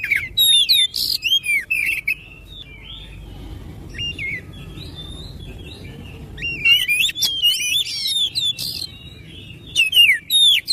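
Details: Oriental magpie-robin singing to prompt other magpie-robins to sing. Bursts of high whistled and slurred notes with sharp chips, a quiet pause of a few seconds in the middle, then renewed rapid varied phrases.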